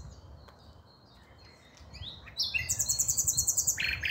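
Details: Common nightingale singing on 5 May 2023; after a quiet, noisy start, a loud burst of rapidly repeated high, sharp notes begins midway and runs to the end over a low background rumble.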